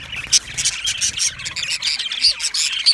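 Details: Cheerful budgerigar chirping to keep lonely budgies company; short high tweets and buzzy warbled notes, with sharp squeaky peaks every half second or so.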